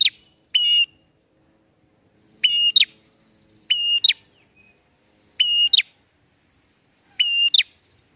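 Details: Bar-winged prinia singing, a song used as a bird-catching lure; five phrases, each a flat whistled note then a quick double chip, repeated every one to two seconds over near silence.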